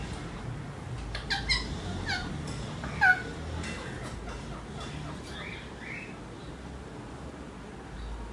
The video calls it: male ringneck mating call